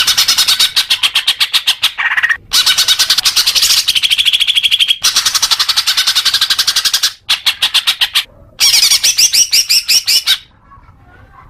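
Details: Leafbird song used to condition young birds: extended bouts of rapid, pulsed, buzzy chatter broken by short gaps, with a run of whistled, warbling notes near the end before silence.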